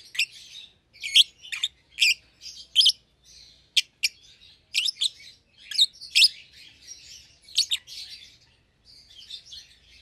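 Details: Two young caged lovebirds, a euwing green opaline and a red-eyed albino, kept as a pair: shrill harsh chirps in irregular bursts, some sharp and clicky, others rasping, with brief softer twittering between.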